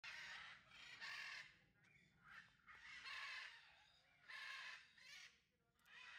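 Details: Citron-crested cockatoo (Cacatua sulphurea citrinocristata) at a bird park, eating wood, gives harsh, raspy screeches lasting about a second, repeated every second or two, with a faint low hum behind.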